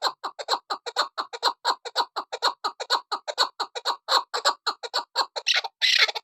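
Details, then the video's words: Female chukar partridge, kept for hunting, giving a steady fast series of harsh clucking chuk notes, roughly two per second, ending in a burst of broadband rasping noise. "Shikari Chakor sound Keklik sesi Female chakor"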